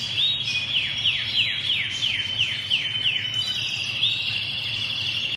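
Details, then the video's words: Canary delivering a series of about nine quick, evenly spaced downward-slurred whistles, followed by a brief rising note and a bright continuous high trill to the end. "تغريد الكناري"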